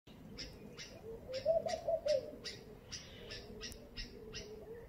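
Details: A laughing dove gives a soft, bubbling run of low coos, rising then falling, in the morning, over a steady background of sharp, repeated chirps from other birds.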